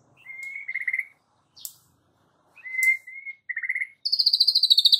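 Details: White-rumped shama song, calm yet sharp, used as a lure to provoke fighting birds, very young and young forest-caught. Clear whistled phrases sliding around a mid pitch, with short high chips, then a buzzy, rapidly pulsed high trill at the end.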